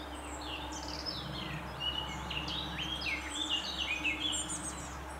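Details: Lesser spotted woodpeckers feeding at least two nestlings in a tree-hole nest, 20 May 2017; dense, excited high-pitched squeaks and short downslurred chirps tumble over one another, growing busier midway, over a constant low hum.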